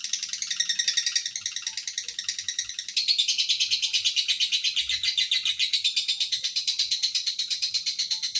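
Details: A lovebird's extended ngekek, a continuous high chattering trill of rapid pulses that steps up in loudness after three seconds and carries on unbroken to the end.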